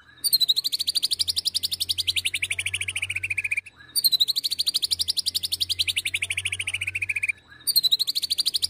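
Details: Oriental magpie-robin song used to provoke and train birds: a fast, buzzy rattle of rapid notes that slides slowly downward, repeated three times with short gaps.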